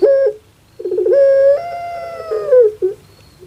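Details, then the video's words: Pet puter pelung dove from Java, Indonesia, whose call is likened to a crying baby: a brief coo, then a stuttering burst that swells into a long, steady, nasal tone ending in a falling slur. "SUARA BURUNG INI SEPERTI ANAK MENANGIS"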